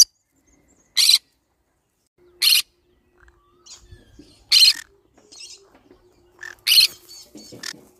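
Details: Green-cheeked conure calling in a series of loud, raspy squawks roughly every one and a half to two seconds, with fainter chattering notes in between.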